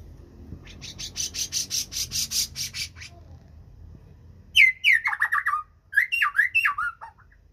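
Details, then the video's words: Black-crested bulbul singing: a fast series of high buzzy pulses, a short pause, then loud slurred whistled phrases dropping and rising in pitch, repeated twice, with faint low background rumble. "CUCAK JENGGOT GACOR MODE RIWIK PLONG"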